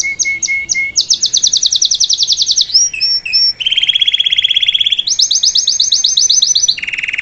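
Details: Salsa canary song used to teach a fledgling to sing, shifting between rapid high rolling trills, short whistled notes and a lower dense buzzy roll, each tour sustained for one to two seconds.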